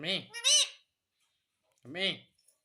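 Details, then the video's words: Parrot voicing mimicked words to ask for roti: two quick syllables, a pause of over a second, then one more rounded word. "मम्मी मिट्ठू को रोटी दो _ Parrot Talking Everything"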